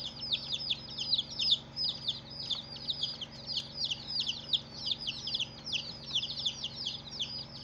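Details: Brood of chicks on their first day calling nonstop: bright high peeps that slide down, around two to three per second, many voices layered together.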